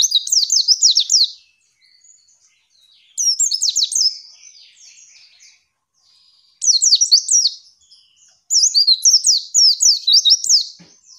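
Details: Female white-eye, used as tutor song to prompt other birds to open their beaks and sing, gives four fast bursts of high, thin twittering notes, each about a second long, separated by short silences.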